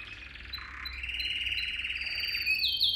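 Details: Canary in a song for teaching young canaries: a dense, warbling low trill swells steadily, then shifts into a higher whistled note and a few quick sharp chirps at the end.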